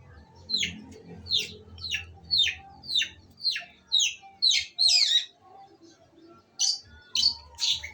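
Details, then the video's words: Female long-tailed shrike giving a series of harsh, buzzy, downward-sweeping notes about twice per second, then a short pause and three more rasping notes; faint low hum underneath. "kicauan cendet betina"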